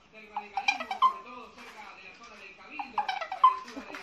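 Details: Amazon parrot imitating phone notification sounds and singing indoors: bursts of speech-like chatter mixed with short, clear electronic-style tones and bleeps, two clusters about two seconds apart.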